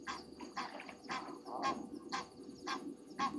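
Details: Egyptian geese upset over something at night, 22:41 on 27 January 2023, at Gowrie dam waterhole, Djuma Game Reserve, Sabi Sand Wildtuin, South Africa, on a live camera; harsh, buzzy honks repeated about twice a second over a low steady hum.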